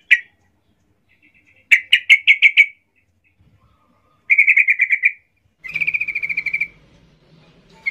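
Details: Fired-up yellow-vented bulbul hunting for a rival, singing several quick bursts of rapid chirping notes, some phrases louder and spaced, others tight and trilled, with faint low hum underneath the last phrase.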